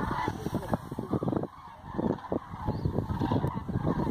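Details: Roost flight of common cranes in Hortobágy National Park, Hungary, on 2 November 2016 in autumn, with 47,000 counted leaving the next morning: loud, overlapping trumpeting calls, rolling and honking in a steady chorus, with a brief lull midway.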